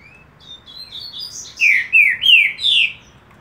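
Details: Green-winged saltator (Saltator similis), song.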